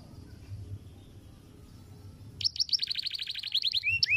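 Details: After a quiet stretch, a canary breaks into a fast rolling trill of rapid repeated notes ending in a few upward-swept whistles, from a long roll song recorded to teach other birds.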